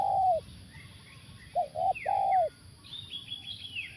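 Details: Spotted dove cooing at a factory site during a luring session with a live decoy: a loud low coo, then a short double coo and a long drawn coo, with small birds chirping faintly in the background.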